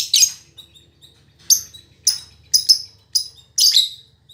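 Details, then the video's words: Female lovebird, called a fighter and as chatty as a male, used as tutor audio: seven short, sharp, high chirps with quiet gaps between them, some paired closely. "Suara Burung Lovebird Betina Fighter"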